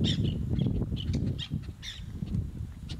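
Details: Black-naped terns at their breeding rocks on a reef off Ishigaki Island, Okinawa, Japan: sharp, high, clipped notes given in quick uneven bursts over a heavy low rumble of background noise.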